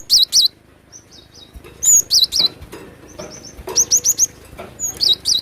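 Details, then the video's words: Glatik batu, or cinereous tit, in energetic 'gacor emosi' singing: rapid clusters of sharp, high, slurred chirps alternating with softer, evenly spaced whistled notes, repeated in quick bursts with little background sound. "Glatik batu gacor emosi"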